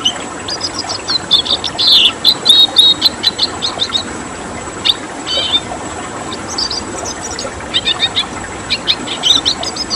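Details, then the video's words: Sustained red siskin twittering in the 'tembakan' style, fast chirps and short trills in irregular bursts with occasional harsher squeaky notes, from a training recording for songbirds, over steady hiss. "Masteran Tembakan Siskin Merah"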